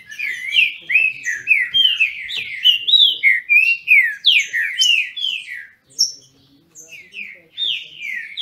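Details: Captive green-winged saltators from a Brazilian breeder singing in a dispute: a steady run of loud, sliding whistled notes for nearly six seconds, then a pause and a few clear, separate phrases.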